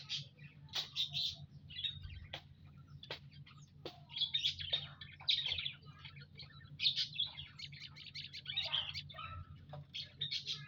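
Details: A flock of munias kept in an aviary, recorded on Saturday, 19 April 2025: repeated thin, high chirps come in rapid clusters every second or two, mixed with sharp clicks and a steady low background hum.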